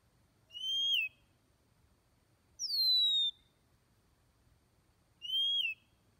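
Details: Oriental magpie-robin giving three clear, drawn-out whistles spaced about two and a half seconds apart: a level note dropping at its end, a higher note sliding steadily downward, then a repeat of the first note. The background is otherwise quiet.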